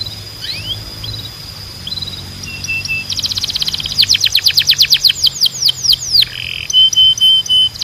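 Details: Canary song used to train other canaries: soft rising whistles open into a rapid buzzy trill, then loud sweeping notes about three per second, a short buzz, and clear flat whistles at the end.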